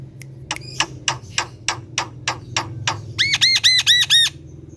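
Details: Javan pied starling (jalak kebo) at home, song: a run of harsh rasping clicks about three per second, then six loud looping whistled notes that rise and fall, over a low background hum.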